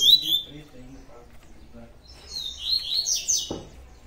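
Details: Double-collared seedeater in tui tui song style: a thin, high whistled note at the start, a pause with faint low background sounds, then a quick run of high warbled, slurred notes and a dull knock.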